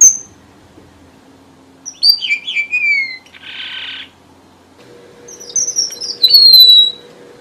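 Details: Red avadavat lure song from southern Vietnam, used for trapping: scattered high, sweet whistles and descending notes between quiet gaps, with a brief hissing burst midway and a faint steady low hum in the background.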